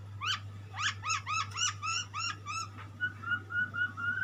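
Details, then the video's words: White-rumped shama singing, a pet bird, with a quick series of sharp rising whistled notes repeated several times a second, then a run of level clear whistles; constant low hum in the background. "burung muray , burung berkicau , burung bernyanyi"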